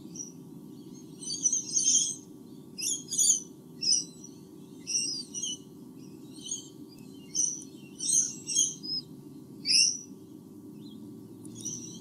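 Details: Two White-bellied sea eagle chicks at a nest in Australia, 8 August 2015, give thin, high chittering cheeps in short bursts about once a second, over a steady low hum.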